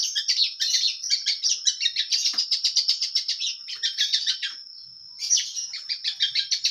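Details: Long-tailed shrike from Indonesia singing hard with full material: fast, rhythmic, high chattering notes, a short pause with only a thin whistle, then the scratchy phrases resume.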